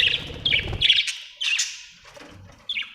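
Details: Budgie giving short, squawky chirps in quick succession, about six sharp notes with small gaps, then a final lone chirp.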